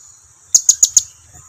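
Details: Blue-crowned hanging parrot lure call meant to make quiet birds answer: a brisk burst of four piercing, very high chips evenly spaced, over a constant thin high-pitched whine.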